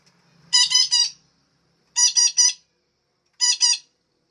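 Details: Female parakeet, played to encourage caged birds to sing often, uttering three loud, raspy squawk groups of two or three notes each, evenly spaced with brief pauses between them.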